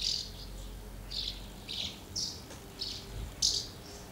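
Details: House martins at two crowded nests, feeding young and flying out, recorded 24 August 2012; sparse, sharp high chirps sound singly about every half second, over a soft low background hum.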